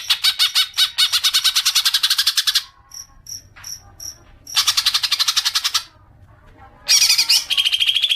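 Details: Green magpie lure intended to provoke long chattering: rapid harsh chatter for over two seconds, a pause with soft high pips, another chattering run, then a burst of squeaky calls.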